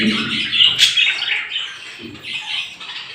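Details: Morning chorus of small birds: busy overlapping high chirps and squeaky twitters, with a brief fluttering burst near the start and some low murmuring underneath.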